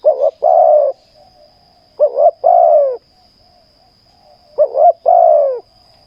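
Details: Cooing of a spotted dove during ground decoy luring: three rhythmic phrases, each a quick two-note warble and a long, soft, downward-curving coo, with quiet gaps between and a faint steady whine.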